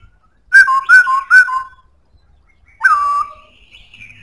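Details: Black-throated laughingthrush singing loudly: three rapid two-part whistles, each stepping down in pitch, then after a pause a single sliding falling whistle fading into soft high notes.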